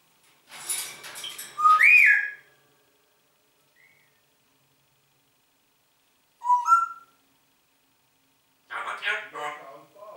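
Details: Congo grey parrot speaks "Guten Morgen" in three short bursts of speech-like chatter mixed with bright whistled notes, with silent pauses between the phrases.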